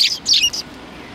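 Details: Sparrows behind a civic cultural hall on 17 January 2020, giving three quick high chirps within the first seven tenths of a second, followed by quiet background hum.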